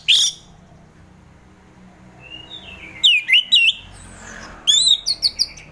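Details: Orange-headed thrush singing, played to encourage reluctant caged thrushes in the morning; a sharp note, a soft thin whistle, then two fast bursts of loud slurred whistles over faint background hum.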